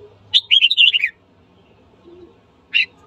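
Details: Red-whiskered bulbul singing in the morning, used to train its voice and stir up fighting: a loud warbled phrase of rapid rising and falling whistled notes lasting under a second, then a short sharp note after a pause.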